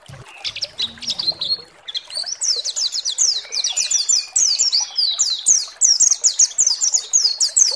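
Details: A pleci (white-eye) lure song intended to stir other pleci into song: scattered high chirps at first, then a long, fast, steady sequence of sharp descending notes, slight low sounds early on.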